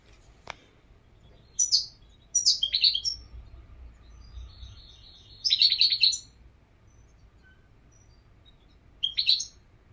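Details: European goldfinch singing in short bursts of bright, tinkling twitters, three phrases spaced a few seconds apart with quiet gaps between; a faint click near the start and low background hum.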